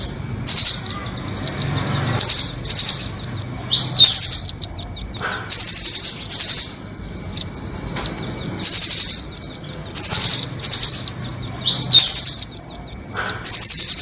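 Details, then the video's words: Nuthatches, the rambatan doraemon and red-billed rambatan, heard on a lure recording used for trapping birds: high, sharp chirps in quick bursts and trills, with short pauses of about a second, over a faint steady hum. "Pikat burung rambatan doraemon vs paruh merah"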